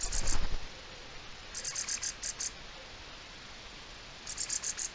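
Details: Mistle thrush giving dry, high, rattling bursts of rapid clicks in three short runs, an alarm call, recorded 4 May 2023, with quiet background hiss.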